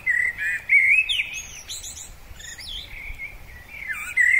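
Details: Male common blackbird singing in spring: mellow fluted warbling notes, then a burst of thin, squeaky high twittering, before low fluty notes return at the end.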